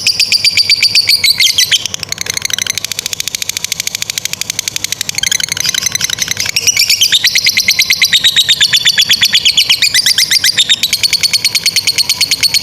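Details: Lovebird fighter in long ngekek song, a chatter used to train young or stalled lovebirds: an unbroken stream of fast, high buzzy pulses, about three a second, the pitch dipping and rising in waves over twelve seconds.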